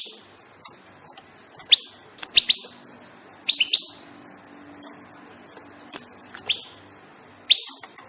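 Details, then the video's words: Short metallic chirps from a European goldfinch, mostly in pairs and triplets with gaps between groups, over a quiet background with a faint low hum. "بتبتات طائر الحسون"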